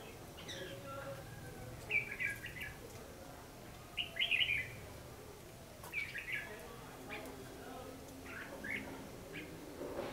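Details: Red-whiskered bulbul fighting song used as a lure in trapping, recorded 14 December 2015: brief chirpy warbled phrases repeated about every two seconds, separated by pauses, with low background noise.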